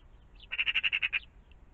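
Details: Magpie calling in the morning around a pond: a short harsh rattle of seven rapid, evenly spaced grating notes lasting about three-quarters of a second, over a quiet background.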